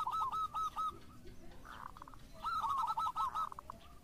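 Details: Loud, clear phrases from a local Zebra Dove: rapid rolling coo notes in two bursts separated by a brief, murmured lower sound.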